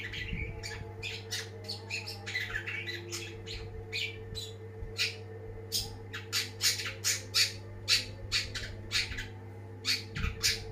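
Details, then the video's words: Long-tailed shrike, described as a champion bird, singing vigorously: a rapid series of harsh, scratchy, broadband notes, loosely repeated about every half second and growing louder and denser toward the end, over a steady low indoor hum. "ocehan burung cendet gacor banget!!!"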